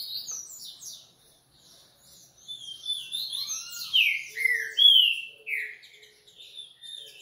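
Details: High Coleiro song: quiet chirps at first, then a loud run of slurred, falling whistled notes and sharp chips.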